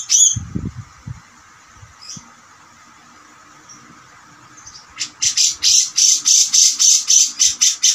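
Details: Gacor cucak jenggot master song for training songbirds: a few scattered high notes and low rustling, then a fast, steady series of loud, piercing high notes repeated nearly four times a second to the end.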